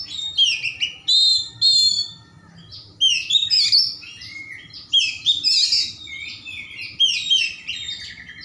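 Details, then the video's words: Oriental magpie-robin delivering vigorous, richly varied song intended to stimulate sluggish birds to start singing: dense clusters of sweet whistles, buzzy trills and scratchy notes, phrases repeating every second or two over a soft low hum. "kacer gacor suara mewah untuk pancingan kacer lambat panas/on"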